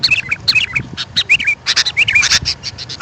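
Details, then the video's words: Sooty-headed bulbul calls used to attract wild birds: bright chirps and short warbled whistles mixed with dense bursts of harsh, scratchy notes. "Suara Burung kutilang untuk pemanggil Burung liar."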